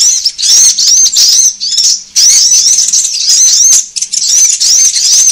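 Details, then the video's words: Sunbird calling used to pull birds together: sharp, high, fast-warbled notes in dense runs, briefly dipping in loudness twice before the twittering resumes. "SUARA PIKAT KOLIBRI AMPUH"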